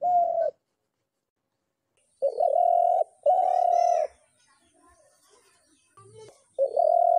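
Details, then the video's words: A dove, possibly a spotted dove, gives low, hollow, throaty coos, each under a second, in a halting series with short silent gaps and a few faint clicks in between. "ঘুঘু পাখির ডাক"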